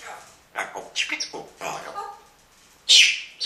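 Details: Two pet talking parrots in a morning exchange, one often commenting in a baby-like voice: a run of speech-like chattering syllables, a pause, then a loud harsh squawk-like burst.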